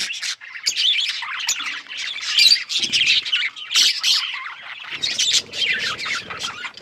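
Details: Budgerigars as pets warbling and chirping in loud pulses, rapid scratchy notes and bright squeaks coming in bursts about every second.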